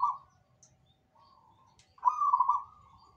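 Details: Zebra dove singing vigorously, other birds said to answer: a brief low trilled coo opens, a faint soft phrase follows, then a loud, longer, rapidly rolling cooing trill at a steady mid pitch.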